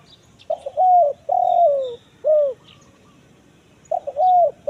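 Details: Spotted dove lure call in the 'kuk 1 mersik' style, used to draw wild doves in forest: a stuttered opening, a long falling coo and a short clipped coo, then the phrase restarts near the end.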